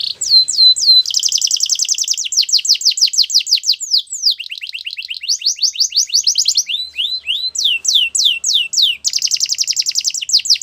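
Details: Canary song used for training, a fast run of varied phrases: rapid repeated high notes and trills, downslurred whistles and buzzy rolls, each tour held one to two seconds before switching, no other sounds.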